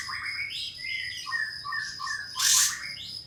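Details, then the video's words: Pied fantail song used as a lure to provoke a rival into answering and fanning its tail. A series of bright, clipped whistled phrases that step up and down, with a brief loud rasping burst near the middle and a constant high background hum. "Kapas Tembak Bukor Mbeset Memanggil Lawan Untuk Pancingan Katem Agar Buka Ekor Gacor"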